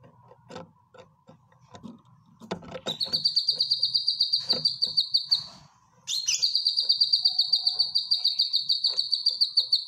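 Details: Cucak kinoy bulbul kept in a cage, used as a training song: scattered clicks and chips, then two long runs of quick, regular high pulsed notes, each opening with an abrupt rising swoop.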